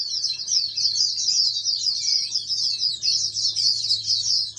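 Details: Oriental white-eye bred in captivity as a future national champion songbird, pouring out fast, high-pitched twittering warbles and trills in a dense continuous run, one brief dip near the end, over a soft low background hum.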